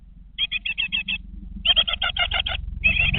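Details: Nest-box great tit chicks aged 20 days: a soft run of six quick buzzy chirps, then louder, harsher chattering series, with a low rumbling background rising toward the end.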